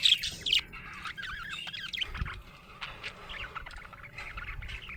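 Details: Happy budgerigar chirping: a few loud squawky chirps at the start, then softer wavering chatter and warbled notes trailing off.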